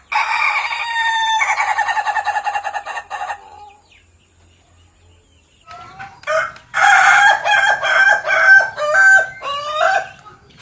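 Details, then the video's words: Ayam ketawa, the Indonesian laughing chicken kept for contests, from Meulaboh: long stuttering crows broken into rapid laughing pulses, one burst in the first three seconds, then a second, choppier run of repeated notes after a pause. "NGOKOK AYAM KETAWA MEULABOH"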